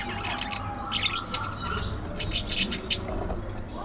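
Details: Busy budgerigar warbling: quick chirps and gravelly squeaks, a short rising whistle, then a tight cluster of sharp high notes before it fades.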